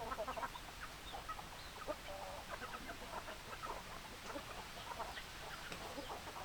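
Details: Hens clucking in a group, short repeated mid-pitched clucks overlapping irregularly throughout, several birds calling at once over a steady background hiss.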